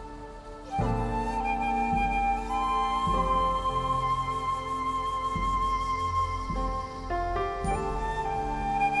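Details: Soft, slow flute melody over sustained low chords, with no animal sounds.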